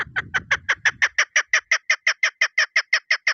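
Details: Steady rapid chuk-chuk calling from a female chukar partridge lure bird, around seventeen sharp notes in three seconds, with low handling noise fading out during the first second.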